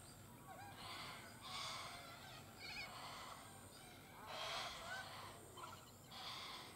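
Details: A female Australasian darter, drying her wings and slightly concerned at being approached, gives harsh, rasping bursts roughly once a second, each short and scratchy, over a steady low background hiss.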